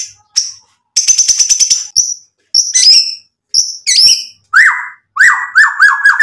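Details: White-rumped shama song used to provoke a reply, a lively varied mix of high sharp chips, a rapid buzzy rattle, then descending whistled slurs repeated in quick succession.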